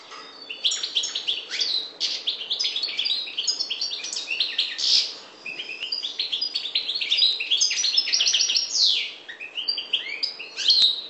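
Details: European goldfinch of the parva subspecies, Maghreb: a long, dense run of rapid twittering, tinkling notes and buzzy trills, with short liquid whistles and a few brief pauses.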